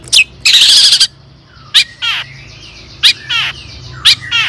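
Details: Long-tailed shrike song used as a lure to rouse other shrikes into singing. Harsh, broadband rasping bursts alternate with sharp downslurred notes and short rising slurs, in irregular phrases about a second apart.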